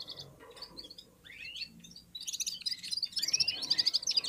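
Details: Red-fronted serins warming up and singing in unison after eating, other birds also present; a few scattered high chirps and a slurred rising note, then a loud fast rattling twitter of rapid repeated notes from about two seconds on.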